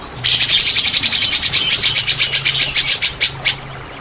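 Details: White-rumped shama singing as a lure for reluctant shamas: a fast, steady high rattle of sharp repeated notes lasting about three seconds, ending in two separate clicks, with a low hum behind.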